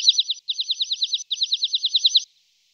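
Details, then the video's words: Tree pipit delivering rapid even trills of bright, slurred notes, about eight a second, in three bursts split by short gaps. It ends in a faint buzzy fade. "Z ODGŁOSAMI PATKA - Świergotek drzewny"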